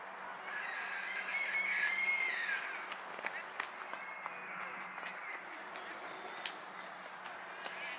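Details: Common moorhen (Gallinula chloropus) in Tivoli Landscape Park, Ljubljana, on 12 September 2022, giving a harsh, grating call of about three seconds, then scattered clicks and ticks over a soft background hum.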